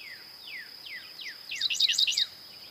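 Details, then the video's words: Dickcissel singing a quick cluster of five sharp, buzzy chirps near the end. Earlier, a series of thin whistled notes slides steeply downward from another bird, all over a constant high hum. "Dickcissel Bird Song"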